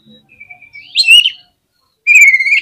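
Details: Oriental magpie-robin song used to stir other magpie-robins: a long, thin steady whistle rising into a loud, rich warble, then another strong sustained whistled phrase after a brief silence.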